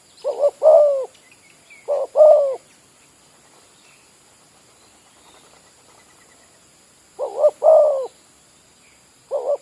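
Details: Spotted dove, a village bird kept as a decoy for luring wild doves, giving hoarse low cooing phrases of two to three notes. The phrases come in quick pairs, then a long quiet gap, then two more phrases.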